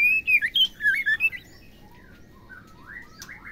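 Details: Female white-rumped shama call played to excite males into singing: just over a second of quick, sharp whistled notes, then fainter soft slurred whistles against light background hiss.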